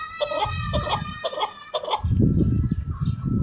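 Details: Chukar partridge calling: four harsh, harmonic-rich clucking notes spaced about half a second apart, followed by low rumbling background noise, with a faint steady whine running underneath.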